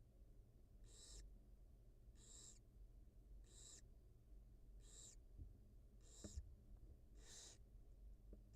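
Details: Wild barn owl nest with mother and two newly hatched nestlings being fed, recorded on a live cam; seven evenly spaced rasping hisses, about one every 1.2 seconds, with faint taps and hum.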